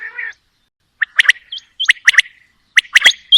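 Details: Female and male quail calling: a short buzzy note, then a run of sharp clipped notes in quick groups of two and three, over near silence.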